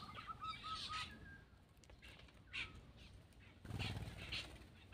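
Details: Black-winged myna while eating opens with a row of short, clear repeated whistles, then gives scratchy harsh notes and a noisy burst of rustling.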